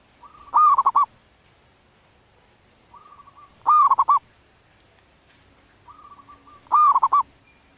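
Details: Breeding wild zebra dove giving three evenly spaced cooing phrases about three seconds apart, each a quiet sustained opening note leading into a loud run of quick, rolling, bubbling coos.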